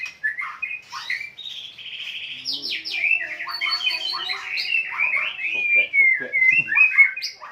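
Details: White-rumped shama singing a long, varied, rapid run of clear whistles, slurred notes and buzzy trills, mostly high-pitched, with phrases changing every fraction of a second and a faint lower tonal hum in the middle.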